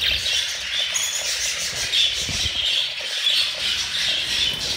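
Budgerigars keep up a dense, high chatter of squawks, chirps and thin whistled warbles.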